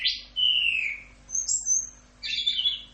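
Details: Orange-headed thrush, 'Rock'n Roll' tutor song: a sharp note, then a long falling whistle, a thin high whistle and a final burst of buzzy chatter, with gaps between phrases.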